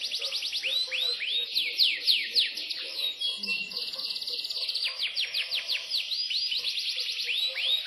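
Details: Imported Yorkshire canary singing a continuous, high-pitched song of rapid trills and fast downward-sweeping whistled notes, delivered in quick runs with varying tempo and no real pause across eight seconds.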